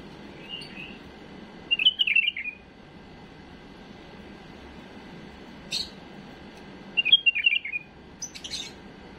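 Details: Error-free tutoring song of a tame bulbul for young birds: two rapid warbled phrases several seconds apart, with soft preceding notes and a sharp click between them.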